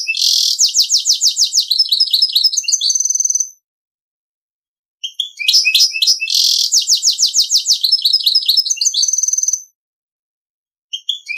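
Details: A goldfinch-canary mulet delivers Servati-style song: two long bursts of very fast pulsed trilling and high chirps, each about four seconds, separated by silence, with a third phrase just starting at the end.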